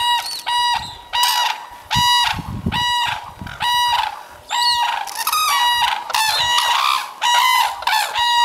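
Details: Red-crowned cranes calling as they fly in to the Akan International Crane Center on the morning of 21 January 2024: a steady series of ringing, brassy trumpet notes, about one per second, with answering calls overlapping.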